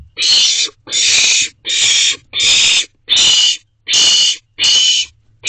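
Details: Young owls at their nest box late at night in late June 2023 give loud, breathy hissing screeches. Each is roughly half a second long, repeated steadily, seven in quick succession.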